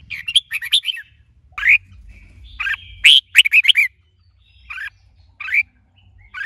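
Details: Caged male red-whiskered bulbul in song training, stirred by a female. Bursts of bright, liquid whistled phrases, some rising and some falling. Three-note clusters are separated by short pauses. A faint low hum runs underneath.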